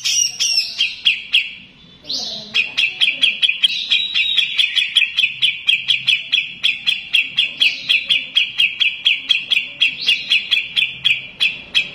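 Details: A grey-cheeked bulbul (Alophoixus bres) pours out a loud, unbroken, harsh chatter, a high buzzy stream punctuated by sharp ticks about four times a second.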